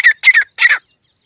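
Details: Pet grey francolin kept to lure wild francolins from a field, giving three loud, rasping notes in quick succession, each slightly longer than the last, then silence.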